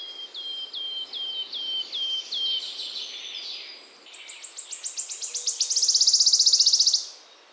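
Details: Singing wood warbler in springtime in the Czech Republic, Central Europe. Six clear, down-slurred piping notes come about half a second apart. A run of accelerating ticks then builds into a loud, quivering trill that fades out near the end.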